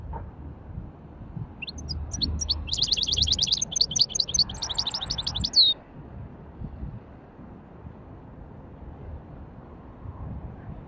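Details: Widani-style song from a hybrid goldfinch in light warm-up: after a quiet start a burst of dense, fast twittering notes and rattling trills runs for about three seconds, ending in a sharp rising note; low murmur behind.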